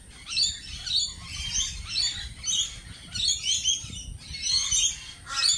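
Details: Several lorikeets at a cafe squawk and screech in rough, high, grating bursts about every second, their voices overlapping in continuous chatter.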